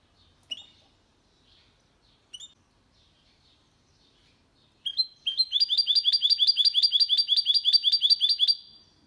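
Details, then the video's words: A hybrid of goldfinch and canary, singing clean in 2022 as a model for young birds and to stimulate males. Two isolated chirps, then a long, even, rapidly repeated twittering trill for about four seconds. "Mixto de Jilguero Cantando Limpio 2022 para Estimular"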